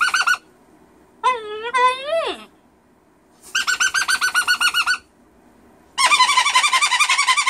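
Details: Indoor pet cockatoo screaming without any reason: a brief squawk, a wavering, bending wail that dives down at the end, then two fast bursts of rapid, pulsing, harsh repeated notes separated by short silences.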